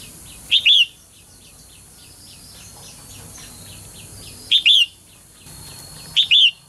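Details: Female bird calling so that males sing actively: three loud two-note chirps, each a quick high note and a longer slurred whistle, at irregular gaps of two to four seconds, with faint rapid ticking chirps of other birds behind.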